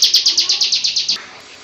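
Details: Brief burst of ngebrem song from a female bar-winged prinia: about ten loud, high, buzzy chips in quick even succession, then abruptly cut off into quiet.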